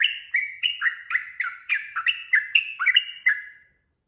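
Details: Long lure song of a sooty-headed bulbul used to make other birds answer, a lively chattering series of rich whistled notes flicking up and down before trailing off into silence.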